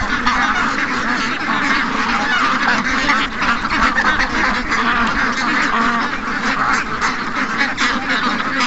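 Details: Over 700 ducks and geese rushing out in the morning, calling together as a steady wall of nasal quacking and honking that swells and dips slightly throughout.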